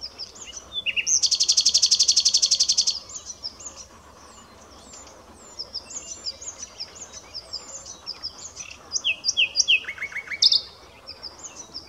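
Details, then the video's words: Common nightingale song opens with a long rapid rattle of loud dry pulses, followed by scattered high chirps and a brief run of quick lower notes near the end. "Rossignol philomèle (Luscinia megarhynchos) - Usignolo comune - Common nightingale"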